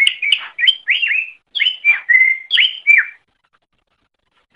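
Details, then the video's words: Tutor song of a greater green leafbird for training other birds: a series of clear slurred whistles, some descending, several drawn out, delivered in quick succession before falling silent. "Masteran Suara Cucak Ijo"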